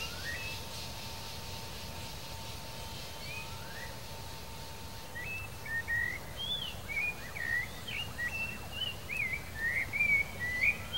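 A male Blue Dacnis gives thin, high, chipping notes in a quickening series, about two per second, after a steady faint hum and low wind-like rumble.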